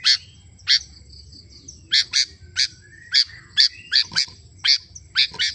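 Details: Kutilang, the sooty-headed bulbul, in lively song: a series of sharp, high chirps spaced irregularly, some doubled, with a soft thin whistle between notes and low hum underneath.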